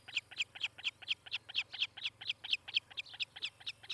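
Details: Osprey calling at its nest in Charlo, Montana, from a live nest cam on a July 2018 morning: insistent, evenly paced high whistled cheeps, about four per second, loud and slightly uneven in strength.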